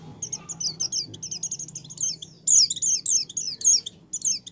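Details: Energetic white-eye song used to coax pet white-eyes into singing: a continuous, fast chatter of high, thin, falling notes, louder in its second half, over steady low background hum.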